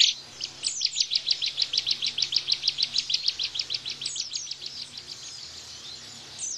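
A Bar-winged prinia delivers a rapid burst of sharp, high chipping notes, about seven each second for three seconds, then a few thin, higher sweeping notes.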